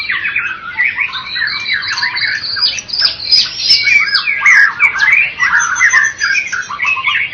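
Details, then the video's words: Winning white-rumped shama from a bird competition, Medan and Java types, with a continuous cascade of bright whistles, sharp upslurs and rattling trills, intense and rapidly changing. "Murai batu Medan dan Jawa Juara Satu Pemenang Lomba Bird Copsychus malabaricus Suara Burung"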